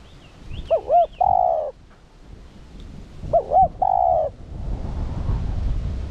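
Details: Spotted dove used as a decoy to make other doves coo. Two three-part phrases of two looping notes and a long coo, about three seconds apart, with a faint chirp and rising background rumble at the end.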